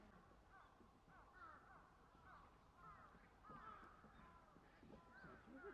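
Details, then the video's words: Black-crowned night herons in a colony at Sanpōji Pond, Japan, on 28 January 2024 give harsh, croaking squawks, several birds overlapping about every two seconds, over a steady low rumble. "ゴイゴイ コロニーでの出来事"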